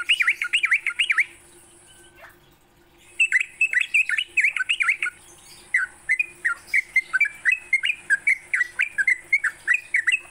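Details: Morning song of a sooty-headed bulbul for training songbirds: rapid V-shaped whistles, a pause of about two seconds, then a longer run of quick whistled notes; steady high hiss.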